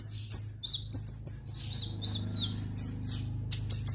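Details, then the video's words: Orange-headed thrush delivering a quick stream of high slurred whistles and chirps, rising and falling notes packed closely together, over a noticeable low humming background. "burung kemade gacor dorr"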